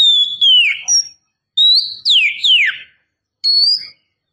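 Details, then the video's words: A female Oriental magpie-robin lures the male with ringing whistles. A level note drops into a slur, then a rising whistle is followed by two steep descending swoops and a final short high note. "Suara Gacor Kacer betina memancing jantan"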